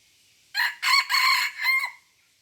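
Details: Red junglefowl from Aceh, recorded 05/01/2020, giving a short, loud crow of four harsh, ringing syllables over about one and a half seconds. The first is brief, the middle two are long and strong, and the last drops at its end. The background is quiet.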